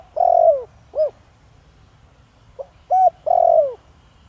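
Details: Spotted dove cooing in the 'thổ đồng' voice to rouse wild doves; two phrases each pairing a long gliding-down coo with short clipped notes, hollow and low, over a quiet background.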